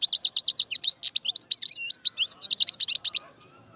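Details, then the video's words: Song of a wild European goldfinch, recorded in 2022: a rapid, jingling chatter of bright high notes and short buzzy trills, ending abruptly in near silence. "صوت الحسون البري chont chardonneret"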